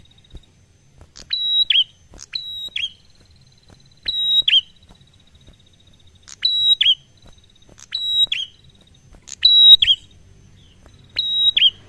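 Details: A prinia sings a relaxed song of the kind used to lure other prinias: short, high, sharp phrases of quick clicking notes ending in a bright whistle and a lower tail, repeating every one to two seconds over a faint steady tone.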